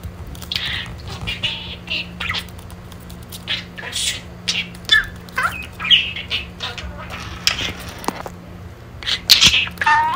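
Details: Pet budgerigar chatting while playing indoors: a busy run of scratchy, buzzy warbles and squeaky chirps, with short mimicked word-like bursts and a few sharp clicks, steady low electrical hum underneath.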